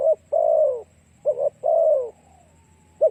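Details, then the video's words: Spotted dove lure song: a clipped note, a long falling coo, a quick doubled note, then another long sliding coo trailing off, and a brief coo at the end. "Cu gáy kích mồi tập bổi hiệu quả nhanh"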